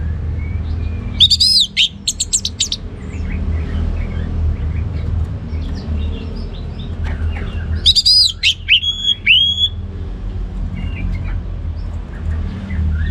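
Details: Two loud outbursts of orange-headed thrush song, ngeplong gacor style, each a cluster of high ringing whistles and sweeps, with faint scattered notes and low hum between.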